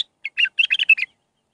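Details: Bulbul song phrase in the Mandalawi style, used for training young birds: one brief, loud, rich warble of six or seven bubbling notes rising and falling, clean and without background sound.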